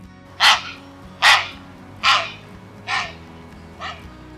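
Five harsh, hoarse croaks from a Grey Heron, spaced a little under a second apart and fading toward the end, over a faint low musical hum.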